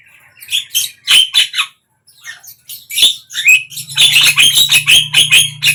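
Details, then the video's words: Javan myna singing, meant to prompt a quiet bird to open its beak: raspy squawks and slurred notes, a pause, then a fast train of harsh repeated notes over a low hum. "suara JALAK KEBO BISU BIAR IKUT BUKA PARUH"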